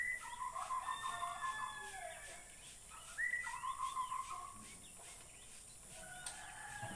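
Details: White-rumped shama from Borneo singing: warbling whistled phrases with a sustained trilled run in two bursts, each opened by a sharp upward-swept note, over a steady background hiss.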